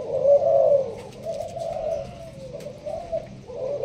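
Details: Spotted dove of the Malaysian type, a caged bird kept for its cooing, giving a sparse-paced cooing style: low, soft coos with gently rising and falling glides, set against steady room noise.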